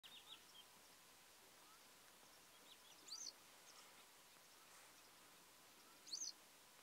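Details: Yellow wagtail giving two thin, high, down-slurred calls about three seconds apart, with faint higher chirps at the start, in a quiet outdoor setting.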